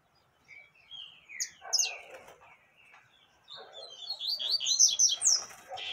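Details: Female yellow-bellied seedeater calls meant to excite a male, a busy run of rapid chirps and slurred whistles rising and falling, growing denser and louder toward the end with little pause between notes.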